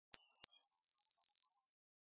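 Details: A single short Eurasian blue tit phrase: two or three thin, very high drawn-out notes, then a brief burst of about four quicker trilled pulses at a slightly lower pitch, ending in silence.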